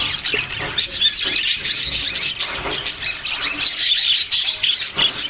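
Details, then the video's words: Budgies, some of them babies, chattering in bright high chirps and warbles, a busy overlapping chorus of quick notes without pause. "parrot sounds and chirping sounds"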